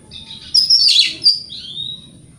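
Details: Morning song of an Oriental magpie-robin meant to make rivals reply: a loud burst of rapid, scratchy high notes mixed with sharp whistles, ending in a descending whistled slur, with a soft low hum beneath.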